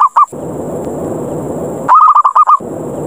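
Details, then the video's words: Zebra dove 'ngerot' lure call used to challenge other doves and bring them down: two short notes at the start, a hissy pause, then a full phrase of about seven quick, evenly spaced coos. "SUARA PIKAT PERKUTUT NGEROT NGAYER NGAJAK TARUNG"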